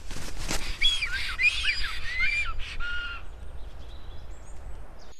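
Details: Black stork at its nest in Karula National Park, southern Estonia, 2021, giving a run of harsh, wheezy calls with slurred whistled notes about twice a second for three seconds, over a steady low rumble of wind.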